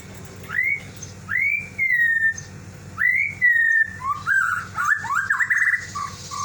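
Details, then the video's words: A lovebird in a cage calls after its companion, which has gone out of the cage. Loud, clear whistled notes rise then slide down, with long pauses between them, then break into quicker, jumbled chirps. "Love bird memanggil teman nya yang keluar dari sangkar"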